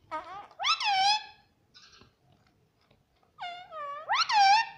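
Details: Indoor pet ring-necked parakeet that talks, saying words like mummy and papa; two groups of rich harmonic, speech-like syllables rising and then falling, separated by a quiet gap with one faint short note.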